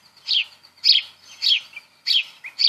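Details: House Sparrow giving bright, rough chirps, each short and buzzy, repeated roughly every half second in a steady series.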